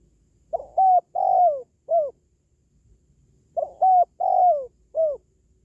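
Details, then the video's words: Repeated spotted dove coo: two identical phrases of four mellow notes, the third long and falling, separated by a quiet gap. Played to raise the mettle of pet doves or call in wild ones. "SUARA PANGGILAN BURUNG TERKUKUR"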